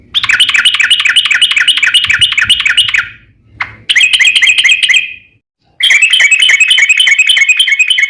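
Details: Extended ropel panjang from a gacor yellow-vented bulbul, used to coax other trucuk to reply: three long bursts of fast, even, chattering trills separated by short silences.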